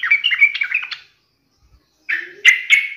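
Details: Yellow-vented bulbul, in a recording used as a lure to provoke rival bulbuls into answering, giving a bright, bubbling burst of chattering notes, then after a pause two loud ringing phrases; no other sounds.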